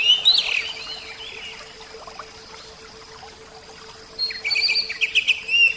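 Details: Oriental magpie-robin, Javan kacer type, singing a loud burst of slurred whistles, then near silence for several seconds before another rapid series of sharp chirped notes.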